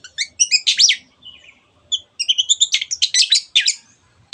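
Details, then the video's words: Long-tailed shrike singing to provoke other birds to join in: clear rising whistled notes, a loud slurred phrase, then a fast sequence of stacked chirps and buzzy notes, with faint low background noise. "cendet gacor teot teot jadikan burung anda cepat emosi dan ikut gacor"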